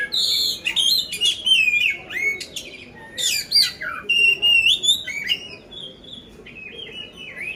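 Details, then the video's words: Poci oriental magpie-robin from Magelang, Central Java, Indonesia, prepared for song contests, pouring out fast varied phrases of harsh chips, sweeping slurs and steady whistles, roughly three per second, tapering into softer notes. "poci gacor isian kasar"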